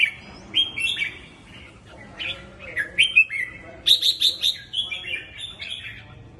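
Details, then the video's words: Chào mào, or red-whiskered bulbul, in scattered whistled phrases that slide up and down, then a tight series of bright repeated chirps before trailing off into softer notes. "Chớp mào 3M/ chao"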